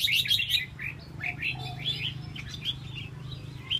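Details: Red-whiskered bulbul displaying with a fanned tail, opening with a loud chirpy burst, then softer scattered whistles above a low hum.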